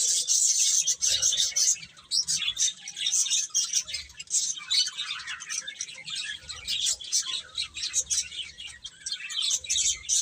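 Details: Baby chicks feeding and playing, high squeaky chirps tumbling over one another in quick bursts, with a short lull around two seconds in.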